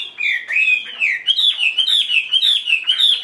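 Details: Caged Chinese hwamei, a fully tamed bird that fans its tail, delivering bright, loud whistled song: a long sliding note, then quick looping up-and-down whistles repeated in a rapid even series.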